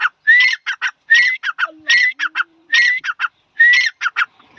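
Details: Grey francolin male, called dhakhni tetar locally, giving loud harsh phrases, each opening with a rising whistled note and followed by rasping bursts, about five phrases in under five seconds; a soft low hum runs beneath.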